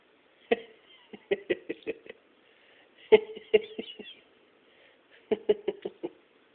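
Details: A male pet parrotlet imitates his owner's laugh in three bursts of clipped, raspy 'heh heh heh' notes, each burst four to six quick notes.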